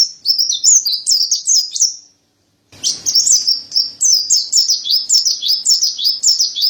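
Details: Mountain white-eye (pleci montanus) in vigorous tutor song. Dense high twittering of quick zigzag notes breaks off for a brief silence, then an equally fast, bright, chattering warble resumes.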